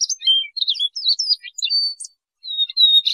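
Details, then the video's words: Song of a Siberian rubythroat, played for trapping: fast high chattering warble of wavering whistles, closing with two longer level whistles after a short gap. "Tiếng chim Oanh Cổ Đỏ"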